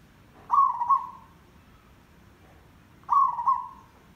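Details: Zebra dove singing a dense 'derak' rattle, played as a lure for trapping: two rolling, trilled coo phrases roughly 2.5 s apart, each quickly fading, against quiet background.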